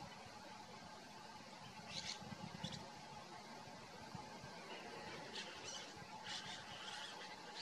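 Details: A flock of hundreds of snow buntings in the Quebec countryside in winter, before leaving to nest in the Far North, gives scattered high twittering and buzzy calls in short bursts over steady low rumbling noise.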